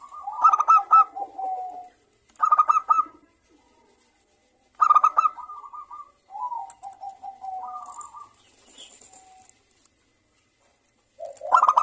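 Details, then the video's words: Zebra dove of a local strain in lively morning song: a phrase about every two and a half seconds, each a burst of quick stuttered notes sliding into a longer, lower rolling trill, with quiet gaps between. "perkutut lokal gacor suara Rame manggung bunyi di pagi hari"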